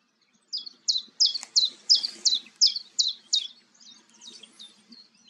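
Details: Calling common chiffchaff, Goldcliff on the Newport Wetlands, April 11 2022: about nine loud, high, descending chip notes in an even rhythm, then softer trailing notes, with faint low background hum.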